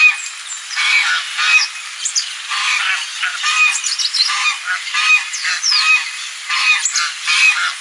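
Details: Goose calling on a lagoon, giving a run of nasal, harsh honks about every second or so, uneven in spacing, while small birds add high sliding whistles in the background.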